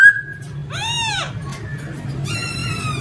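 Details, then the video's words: Male laughingthrush singing: a short clear whistle, then a rich arched note that rises and falls, and a final ringing whistled phrase, over a low background hum. "Khướu trống hót hay nhất"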